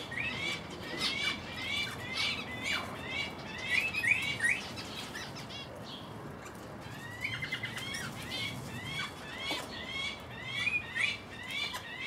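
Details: Feeding scene of a male Guinea turaco (Tauraco persa persa) with its roughly three-week-old young, 11 August 2019, Panasonic HDC-SD60: bursts of high, rising squeaky notes, a brief pause midway, then more thin whistles.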